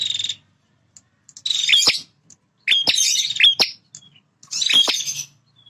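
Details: Male bar-winged prinia, a bird that defends its territory, gives three rasping, buzzy, chattering bursts spaced about a second apart, with a brief buzzy note at the start.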